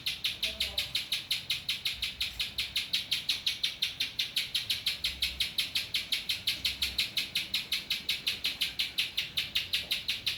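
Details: Spiderhunter song filled with ciblek phrases: a fast, very regular run of sharp high chips, about three per second, carrying steadily through the whole stretch with no other clear sounds.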